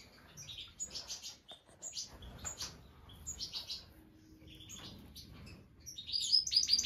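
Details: Black siskin at the nest with its first egg; high, thin chirps and twitters in short bursts, some rapid trills, with brief pauses and a louder run of sharp notes at the end.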